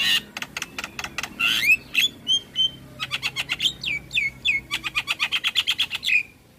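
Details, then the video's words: A Javan myna sings a busy medley of dry rapid clicks and chatters mixed with short, bright, downslurred whistled notes, packed tightly without pause. "Jalak Kebo Gacor Full isian"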